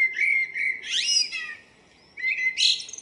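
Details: Brief morning song from a common blackbird on 02/04/2013: a clear whistled note swells into a shrill, squeaky flourish, then a second phrase starts after a short pause.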